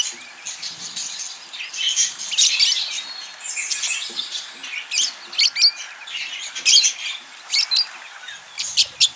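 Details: Budgerigars in courtship mood give a long, steady, chattering warble of buzzy squeaks, clicks and short whistles, growing more staccato with rapid sharp chirps in the second half.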